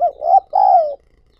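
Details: Decoy spotted dove calling to lure new wild doves: a short mellow coo followed by a longer, smooth, slightly falling croo, low and clear against a quiet background.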